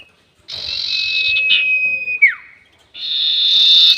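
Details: A harsh buzzy note and a sustained high whistle from a sirtu bird run together, ending in a swooping downward slur. Another rasping buzz starts after a short silence. The sound is used as a trapping lure.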